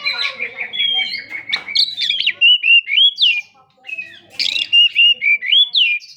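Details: Energetic kacer (Oriental magpie-robin) song used to stir up a quiet bird: rich whistles and warbles, sweet sliding notes strung into rapid repeated phrases, a brief pause midway before another burst of bright chirps.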